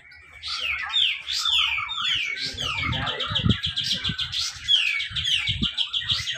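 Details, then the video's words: Grey-cheeked bulbul singing rapet besetan contest song at a Malinau, North Kalimantan event, used as a lure for silent birds: a chain of sliding whistled notes with sharp chirps, while low thumps sound in the background. "cucak jenggot besetan rapet"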